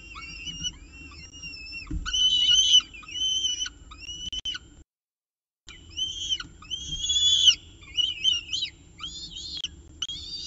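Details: Nest camera on peregrine falcons at CSU Orange during the evening meal, 18 October 2018, 6:51 pm: high downslurred whistles in short bouts, then thicker overlapping squealing clusters after a silent gap.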